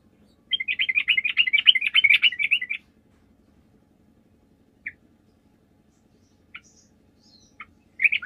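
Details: A bulbul, used as a lure call to get other bulbuls to answer, gives a fast, bubbly burst of chattering notes lasting about two seconds, then scattered single chirps and a final brief chatter, over a faint low hum.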